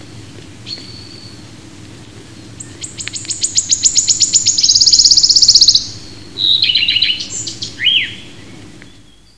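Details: A British wood warbler (Phylloscopus sibilatrix) sings high ticking notes that speed up into a dry, shivering trill lasting about three seconds, followed by a few brief, sweeter high notes.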